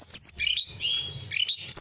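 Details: A blue flycatcher, a territorial fighting songbird with a loud, melodious voice, sings clear, flute-like whistles that slide up and down at high pitch, in a brief phrase with a faint low rumble beneath.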